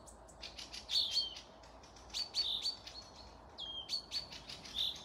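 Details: Birds of the forest at Panika village, Torzhok district, Tver region, Russia, on 12 May 2024: a busy stream of high twittering chirps and brief whistled phrases overlapping one another, with a gentle background hush.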